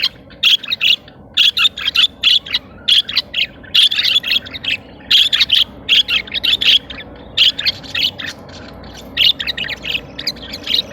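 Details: Caged budgerigars mating and regurgitating food: a long, steady run of rapid clipped chirps, several per second in tight clusters with brief pauses, all bright and scratchy.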